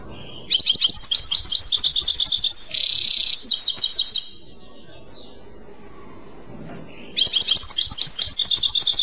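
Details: Goldfinch singing the clochette style: a long run of fast twittering notes, a harsh buzzy patch, then several rattling note groups. After a silent stretch, a fresh burst of bright tinkling chirps follows.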